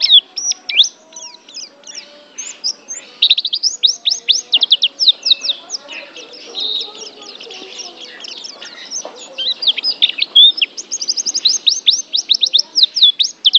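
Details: High, almost continuous chirping song from a Banten Oriental white-eye, an Asian contest champion: dense bursts of quick thin slurred notes, a softer warbling middle stretch, then renewed rapid sharp chirps.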